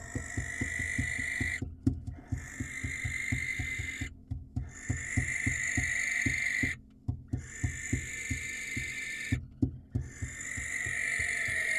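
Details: Wild male barn owl calling to attract a female at a nest cam in Israel: long drawn-out rasping screeches, each lasting about two seconds, repeated with brief pauses, over a rapid run of soft clicking or tapping sounds.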